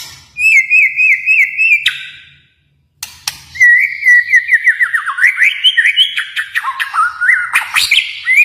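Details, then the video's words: White-rumped shama from Kalimantan giving a wavering trilled whistle, then a long, fast run of descending slurred whistles and chatter. "murai batu Kalimantan"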